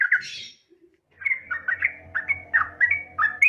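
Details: Yellow-vented bulbul, a female calling a male, used as a lure call: a quick series of short bubbly chirps and warbles, rapid and uneven, over a low steady hum in the background.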